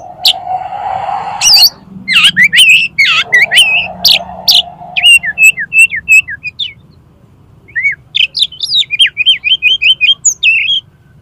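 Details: Oriental magpie-robin singing a challenge to a rival, tail opened. Harsh rasping bursts give way to fast strings of repeated whistled notes and trills, with a steady lower tone beneath the opening seconds.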